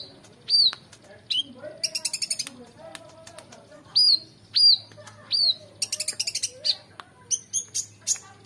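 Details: Energetic oriental magpie-robin song for coaching competition birds. Clear downslurred whistles alternate with bursts of rapid, harsh, buzzy rattling notes in a varied, jerky phrase.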